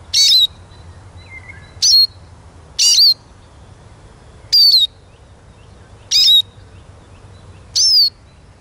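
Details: Eurasian siskin giving six crisp, high whistled notes, each bending downward, repeated about every one to one and a half seconds.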